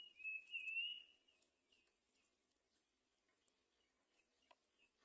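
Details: Great myna at the nest feeding its young, giving a drawn-out high whistled note lasting about a second, followed by soft scattered chirps and faint clicks.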